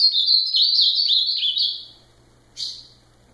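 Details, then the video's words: Ultramarine grosbeak song: a sustained sequence of bright, sliding whistles lasting about two seconds, then a single sharp buzzy note after a brief pause. "Azulão fenômenal"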